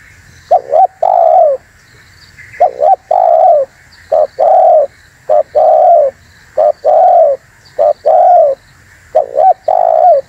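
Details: Lure call of a spotted dove for trapping wild doves and provoking rivals: seven repeated cooing phrases, each a quick two-part note followed by a long mellow coo, about one phrase every one and a half seconds.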